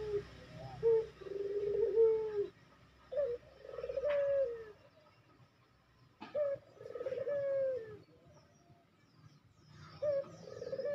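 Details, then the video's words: Barbary dove giving fast coos, used as a tutor recording for training captive doves: mid-pitched, slightly rising-then-falling coos in bursts of about two seconds with short gaps, repeated four times, over a faint low hum. "Masteran Burung Puter Cepat Bunyi"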